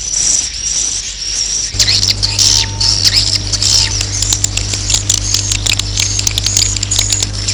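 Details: Roosting call of swiftlets, used to attract them to roost: a quiet start, then dense high twittering chirps and buzzy trills over a steady low electrical hum.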